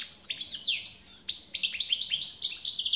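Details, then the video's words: Singing European goldfinch pours out a fast, continuous jangle of high tinkling notes, chirpy slurs and short buzzy twitters, with liquid upward and downward flicks, quite loud and close throughout. "SAKA ÖTÜŞÜ"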